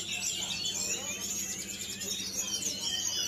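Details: A newly bought, still-young wild-caught Javan whistling thrush gives a continuous, high, twittering song of rapid overlapping whistles and chirps, with a faint low hum underneath.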